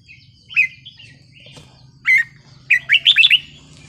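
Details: Red-whiskered bulbul singing in the wild song style: a whistled slurred phrase, a pause, a doubled buzzy note, then a rapid run of five bright rising and falling whistles, with a low hum underneath.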